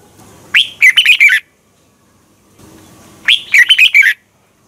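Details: Red-whiskered bulbul singing a morning competition song used to train other birds; two matching phrases about 2.8 seconds apart, each starting with a rising whistle and ending in a quick series of warbled slurred notes.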